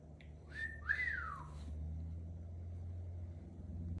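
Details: Pet cockatoo playing with tissue indoors. A clear whistle slides up and then arches down in one smooth sweep, with a faint low hum behind it.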